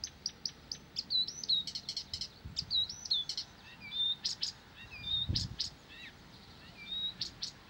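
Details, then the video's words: Blyth's reed warbler singing nonstop, a lively run of sharp high ticks, bent whistles and chattering notes repeated in varied phrases, with a soft low thud midway. "САДОВАЯ КАМЫШЕВКА НЕ В СИЛАХ ПОМОЛЧАТЬ!"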